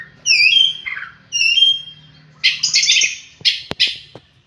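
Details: Oriental magpie-robin singing: clear whistled notes with bright overtones, two similar whistled phrases each sliding down, then a dense buzzy harsh burst and a few sharp clicking notes near the end.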